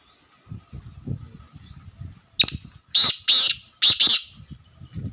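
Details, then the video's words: Black francolin calling in pure laka style: after low rumbling background noise and a sharp click, the bird gives a series of four loud, harsh, buzzy high bursts in two close pairs, then the low rumbling resumes. "Pure Laka Kala Teetar"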